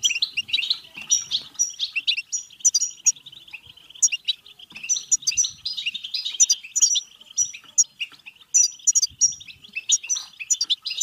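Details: Stimulating song of a European goldfinch, meant to prompt singing and pairing: lively, nonstop twitter of sweet chirps, quick trills and high tinkling notes, varied and run together with hardly a pause.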